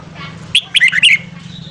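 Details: Red-whiskered bulbul singing its morning song, used to stimulate newly caught bulbuls: a single short, lively phrase of four or five liquid whistled notes over a low steady hum.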